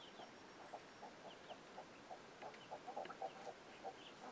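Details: Chickens alerting their young chicks: a steady series of short, low clucks, roughly four per second, growing denser toward the end. Faint high downslurred chick peeps are scattered over them.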